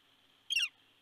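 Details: At Big Bear, California, in December 2019, a red-shafted Northern Flicker calls close by while visiting a nest: a single loud, piercing note that drops in pitch, set against a constant electronic hum.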